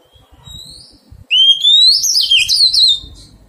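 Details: Wild-caught Oriental magpie-robin being tamed in captivity: a bright whistled phrase that sweeps upward, then breaks into quick warbled, slurred notes lasting under two seconds, with soft low rustling and knocking in the background.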